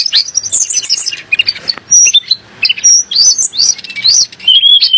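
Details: Sunda blue robin, a bird said to make kacer and muri emotional, gives a jumbled high song of scratchy notes and thin whistled upslurs in quick separate phrases.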